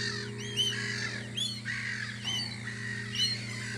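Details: On Audru polder in spring, gulls at a guarding post give clear arched cries, a few standing out sharply above a mass of softer calls, with a strong steady low hum.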